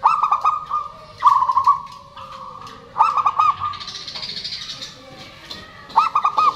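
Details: Zebra doves, perkutut, males and females calling in turn to prompt silent birds: four rolling, gurgling coo phrases about every one and a half seconds, with a soft high hiss between.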